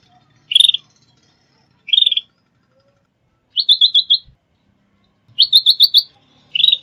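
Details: Sooty-headed bulbul calls used as a lure for trapping and training birds: five bright, chirping bursts, the longer ones made of four to six quick notes in a row, spaced irregularly over a quiet background.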